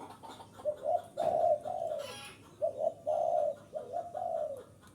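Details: Spotted dove luring wild birds with a strong call: paired short coos followed by a longer drawn-out note, the phrase repeated twice, with a brief rustle between.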